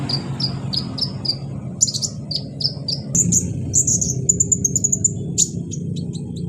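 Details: Sunbird called kolibri ninja, a caged bird, in a recording used as therapy to stimulate singing: rapid series of high, thin chirps and trilled twitters, repeated in short phrases above a steady low-pitched background noise.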